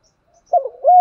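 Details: Spotted dove in the thổ singing style, used as a lure for wild doves. A brief low coo phrase: a short dipping note slurring into a sustained, slightly rising coo.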